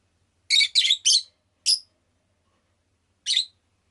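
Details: Rosy-faced lovebird kept as a pet chirping: three harsh, scratchy notes in quick succession, a fourth after a short pause, then a final chirp nearly two seconds later, with silence between.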